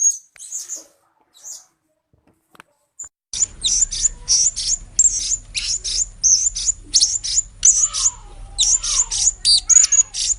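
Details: Blue-crowned hanging parrot lure sound: a few scattered high tsee notes, then a rapid, uneven run of sharp, very high chirps over a steady low hum, with faint lower whistles behind.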